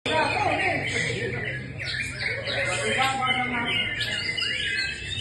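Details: Greater green leafbird (cucak ijo) singing a quick, chattering run of bright whistled notes with rising and falling sweeps, broken by sharp chirps, against steady background hiss and faint voices.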